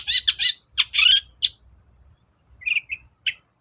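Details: Long-tailed shrike song used to get a lazy caged bird to sing: loud, harsh, buzzy squawking notes in quick bursts, followed by softer rasping chips.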